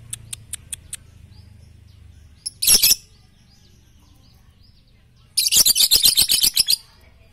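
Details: Lovebird song for training at morning, noon and night: a few soft ticks, a sharp shrill burst, then a rapid run of about a dozen harsh, high chirps over a second and a half.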